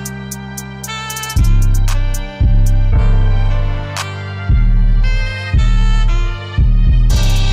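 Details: Instrumental music with deep repeated bass notes, plucked and bowed string tones, and no animal sound.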